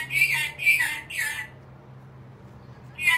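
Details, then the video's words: Pet black-capped lory, apparently angry, gives three harsh, grating squawks in quick succession, pauses, then starts a fourth, over a faint hum. "angry bird? Black capped lory"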